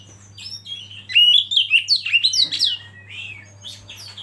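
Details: Oriental magpie-robin (kacer) from a masteran training recording: a fast burst of mixed high chirps and swooping whistles that fades into softer scattered notes, with a low hum beneath.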